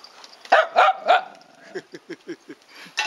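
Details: Domestic duck calling: three loud nasal quacks in quick succession, followed by a run of softer, short, downward quacking notes, then one more loud call.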